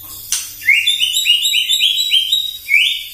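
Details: White-rumped shama giving a morning lure song meant to agitate rival shamas: after one sharp click comes a fast series of about eight loud, rising whistled notes at an even pace.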